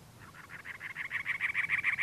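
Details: Male cactus wren calling on territory from a dead bush and teddy-bear cholla cactus in Anza Borrego State Park, San Diego County, California, April 2010; harsh, rasping chugging notes repeated about six times a second, growing steadily louder.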